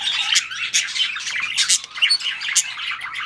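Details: Breeding budgies keep up an unbroken, buzzy warble laced with quick chirps and whistled squeaks, fairly loud and even throughout.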